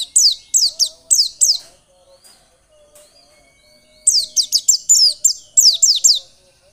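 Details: White-eye recording used as a lure to get caged birds singing loudly and persistently: two bursts of rapid, thin, high downslurred notes, about four to eight per burst, split by a quiet gap with a faint low tone behind.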